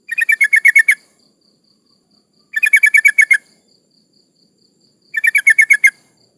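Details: Female yellow-vented bulbul in breeding condition calling males, used as a lure for rivals; clean rhythmic bursts of seven to eight rapid chattering notes, repeated about every two and a half seconds against silence.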